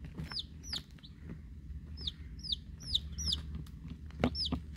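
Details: A brood of week-old chicks, Rhode Island Red and Black Sumatra hens with one unknown chick from a hatchery, uttering sharp high peeps that swoop downward, in loose clusters, between pecking knocks and a low hum.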